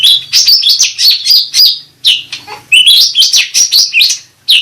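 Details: Cucak rante bulbul singing, played as a lure and therapy sound for the bird. Fast, loud, high chirping phrases run almost without pause, with varied tweets and trills and a brief gap in the middle.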